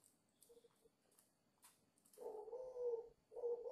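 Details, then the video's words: A 5-month-old dove gives two low, throaty coos after a quiet start broken by faint rustles and scattered soft clicks. "chim cu 5 tháng gù hơi máu lửa"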